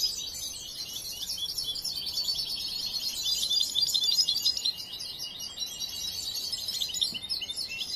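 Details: Hand-reared young goldfinch still in training twitters continuously, a busy stream of high chirps and buzzy trilled notes at fairly even volume over background hiss.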